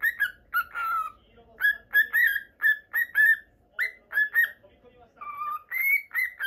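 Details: Pet cockatiel of normal lutino type, caged indoors, whistling in a fast, steady series of short slurred notes, roughly two or three per second, without long pauses.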